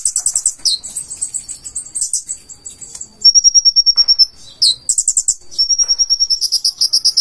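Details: Full-repertoire song of a purple-throated sunbird (konin) with learned phrases: dense high chattering trills, a long even rattle of rapid clicks, and sliding whistles, almost continuous.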